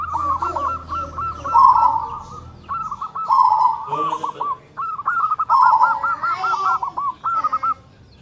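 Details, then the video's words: Local zebra dove singing tight, strong phrases: long runs of rapid, evenly spaced cooing notes around a loud rolled centre note, three phrases in a row with short pauses. "PERKUTUT LOKAL SUARA BESAR NADA RAPAT MANTAB"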